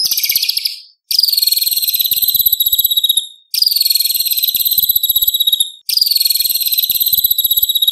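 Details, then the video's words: White-rumped shama repeating loud, harsh, high rattling phrases, each about two seconds long with short gaps, in competition material for tutoring young spotted birds. "Murai Batu Gacor Full Isian ~ Full Tembakan Materi Lomba - Masteran Murai Trotol Tembak Beset Roll"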